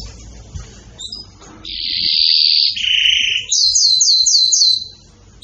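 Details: Excited canary after a quiet start: a bright sustained trill, a lower buzzy roll, then a run of quick repeated sweeping notes, falling silent at the end.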